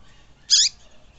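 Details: A double-collared seedeater gives a single harsh, buzzy, high-pitched rasping note of about a fifth of a second over quiet background hiss; the recording is meant to stimulate and fire up captive seedeaters.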